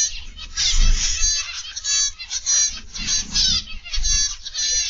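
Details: Zebra finches in an aviary chatter as a busy flock, nasal buzzy bursts and quick trills overlapping without pause above a steady low rumble; Zebra finch (Taeniopygia guttata) song.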